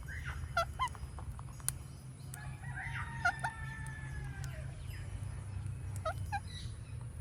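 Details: Relaxed Indian ringneck parakeet giving a series of short harsh squawks, then a cluster of sustained, slightly wavering harmonic notes, then more brief sharp calls, over a constant low background hum.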